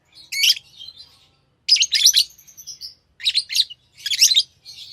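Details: Lovebirds kept as tame pets chatter with harsh, high chirps and a thin drawn-out whistle-like note, in clustered bursts over a faint low background hum.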